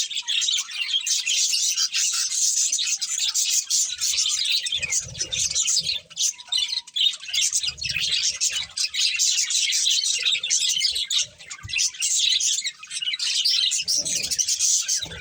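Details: Breeding budgerigar pair giving long, continuous warbling chatter, high twittering and squeaky notes pouring out steadily, with occasional soft rustles and low taps.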